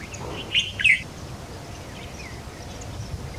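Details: White-browed Fantail, feeding its juvenile in a nest on a tree branch: two quick bursts of high, thin squeaky chirps in the first second, then only a low background hum.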